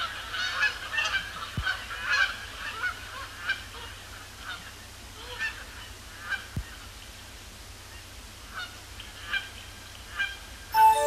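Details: Canada Geese landing on Sapsucker Woods Pond after sunset, overcast Thursday evening, October 2017; honking busy at first, then thinning to separate single honks spaced about a second apart.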